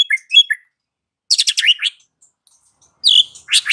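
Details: Afternoon lure song of a white-rumped shama, meant to stir a silent bird: brief high chirps, then a buzzy rattled phrase, a sharp clear note and a closing rasping burst.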